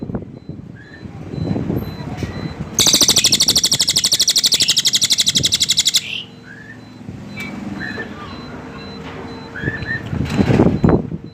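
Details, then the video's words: Cililin bird delivering a harsh, rattling trill of fast, even pulses for about three seconds, set against low background rumble and a few faint whistled notes afterward. "suara burung cililin"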